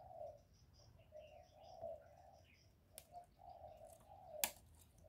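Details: Spotted dove cooing in the earthy 'giọng thổ' voice style, used to stimulate males: low, soft hollow coos in a phrase, fairly faint, with higher chirping birds and a few clicks in the background.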